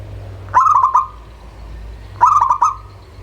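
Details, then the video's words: Local-type zebra dove song used as a lure to prompt other doves to sing: two short bursts of rapid, stuttering mid-pitched coos, each ending in a brief held tone, over a steady low electrical hum. "SUARA Pancingan Burung Perkutut LOKAL"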